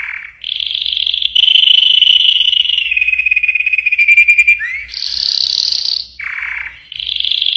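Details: A yellow canary delivers a varied trilled song, rolling phrases stepping down in pitch, a swift rising slur, then bright high rattles and lower buzzy notes in quick succession.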